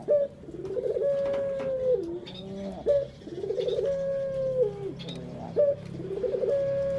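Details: Puter dove kept as a pet, calling as a lure to stir other birds: repeated cycles of a short bright upslur, a rolling trill and a drawn-out level coo sliding down at its close, three in seven seconds.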